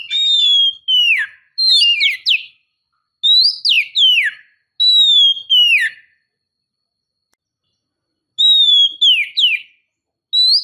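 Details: Female Oriental magpie-robin calling the male: clear whistled notes that slide downward, grouped in short phrases with short gaps and a long pause before the last phrases, in a quiet setting.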